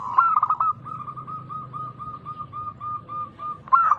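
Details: Lure song of a loud local zebra dove to get other doves singing. A brief rippling coo opens into a long, even series of soft coos, about four per second, before a fresh burst at the end.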